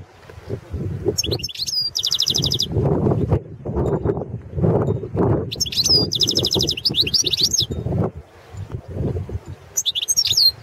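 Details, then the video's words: Competition song of a Balkan goldfinch, Carduelis carduelis balcanica, entered in the 2017 internet World Championship in Goldfinch Song: three short bursts of high, tinkling, repeated twitters, separated by pauses, over a steady low rumbling background. "World championship in Goldfinch Song"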